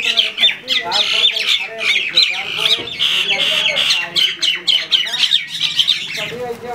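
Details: Shalik, or common myna, birds fight in Bangladesh with rapid, scratchy squawks and harsh chattering, about four per second. The loud, unbroken racket is uneven in rhythm.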